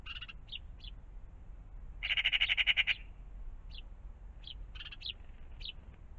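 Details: Morning at a pond with magpies about; a loud, rapid pulsed rattle lasting nearly a second rises in the middle, with brief high chirps before and after it over low background rumble.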